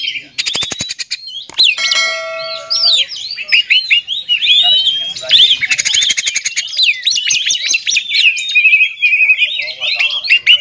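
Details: Oriental magpie-robin singing to provoke rival magpie-robins: opening clicking rattles and a few steady tones, then a long, energetic stream of sharp, swooping whistles repeated in quick succession.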